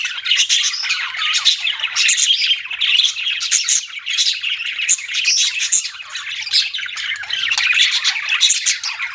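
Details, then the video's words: Chattering budgerigars, continuous twittering warble with short whistled notes and squeaks, bursts repeating roughly every second. "BUDGIES CHIRPING SOUND"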